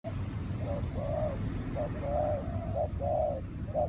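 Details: Spotted dove from a decoy-trapping setting, giving soft hooting coos in short two- and three-note phrases, partly masked by steady low rumbling background noise.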